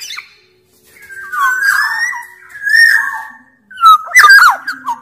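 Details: Larger-bodied Sumbawa oriole in active song, meant to coax quiet orioles to sing: two drawn-out fluty whistles with a wavering rise and fall, followed by a loud jumble of harsh, twisting notes.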